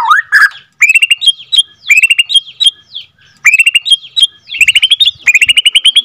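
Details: Bornean white-rumped shama, an F2 bird, giving its long rolling 'ngroll panjang' song, played as a lure to stir other shamas into singing: loud varied whistled phrases, rising slurs and quick trills broken by short pauses.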